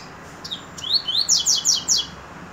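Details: Brief Double-collared Seedeater song: two rising whistled glides, then four evenly spaced, harsh buzzy descending notes, each roughly a fifth of a second apart.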